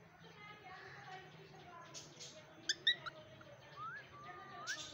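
A cockatiel chatters softly, with sharp chirps and quick upward-sliding whistles.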